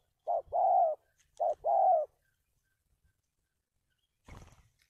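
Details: Spotted dove kept as a trapping decoy, 'cà lăm' stuttering style with two or three opening notes, 1/3/19: a short note then a drawn-out mellow coo, repeated twice, followed by a brief clatter.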